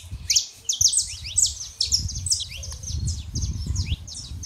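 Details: A pair of saffron finches, male and female, sing a stream of high, sliding chirps and trills over a steady low rumble of background noise.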